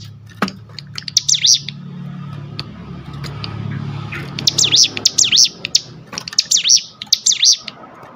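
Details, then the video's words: Sunda bush warbler in ngebrem song used for luring and tutoring: scattered clicks, then three short bursts of bright, swooping high notes over a steady low hum. "tembakan top ciblek gunung full Ngebrem"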